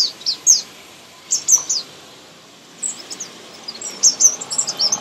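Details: Young birds during feeding utter scattered bursts of high, squeaky chirps separated by short quiet gaps, against faint background hiss.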